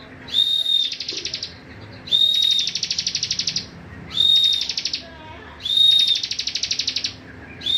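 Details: Cibon singing steadily, used as training song for other songbirds: each phrase opens with a clear flat whistle, then a fast buzzy trill of pulsed notes, repeated roughly every two seconds.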